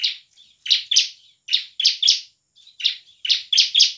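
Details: Bar-winged prinia singing as a lure for lazy prinias: sharp, buzzy high notes delivered in pairs and triplets with short pauses between them.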